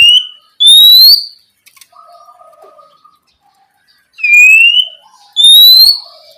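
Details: Oriental magpie-robin singing loudly at night as a lure to prompt young spotted magpie-robins to answer: three clear rising whistles, each a sweeping upslurred note with a long pause in between, plus faint softer notes at lower pitch.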